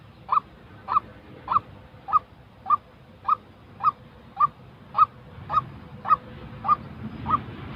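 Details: Real white-breasted waterhen call used to train newly moulted decoy birds for trapping: a steady series of about thirteen short, hoarse mid-pitched 'kook' notes, roughly one every 0.6 seconds, over low rumbling background noise.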